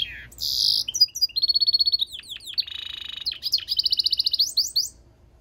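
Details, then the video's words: European goldfinch × canary mule singing a fast, varied song: high sweet whistles and slurred notes, a stretch of rapid evenly repeated chips, buzzy trilled passages and downward-swept twitters running almost without pause. "European Goldfinch mule singing - Jilguero Mixto"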